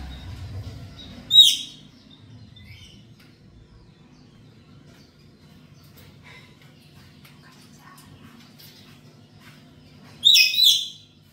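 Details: Black-capped lory at home in a lure recording: two short, sharp, rasping screeches roughly nine seconds apart, with quiet low background noise between.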